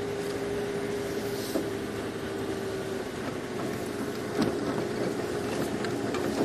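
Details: A safari vehicle's steady engine drone with a humming tone and occasional rattles and knocks during a sunrise drive.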